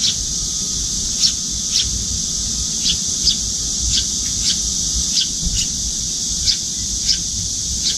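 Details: Juvenile Eurasian tree sparrow following its parent to a windowside feeding spot, fluttering its wings and begging to be fed; short high chirps spaced irregularly about every half second to second, over a steady high hiss and low rumble.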